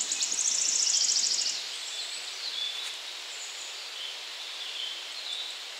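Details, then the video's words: At 51.943910, 20.116144, a wood warbler gives a fast, high, shivering trill that speeds up over about a second and a half, then fades. Faint bird notes and soft rustling follow. "Wood warbler / Świstunka leśna"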